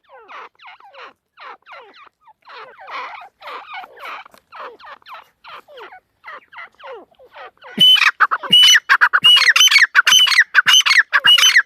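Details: Female partridge: a long run of soft, scratchy repeated notes for about eight seconds, then a sudden switch to loud, dense, harsh grating bursts to the end.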